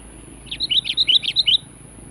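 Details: Sooty-headed bulbul calling in challenge to a rival: a quick string of about eight bright chirped notes alternating up and down, over steady low background noise.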